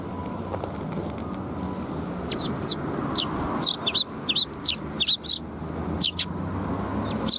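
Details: Fluffed-up Eurasian tree sparrows in a group, filmed 1 February 2021, giving bright, sharp chirps in irregular runs of two or three, over a steady low hum.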